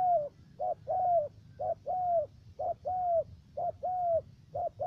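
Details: Decoy spotted dove with a three-note calling style, used for trapping in the U Minh area of Khánh Hòa commune, Cà Mau, Vietnam. Low mellow coos alternate a short note with a longer, slightly falling one, repeating steadily about once per second.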